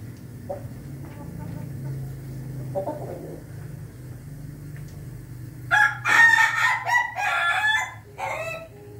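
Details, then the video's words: Ayam Ketawa chicken crowing on 20 May 2024: low background hum and quiet clucks, then from about six seconds a loud choppy crow of repeated staccato bursts, pausing briefly before a final short phrase. "ayam ketawa berkokok"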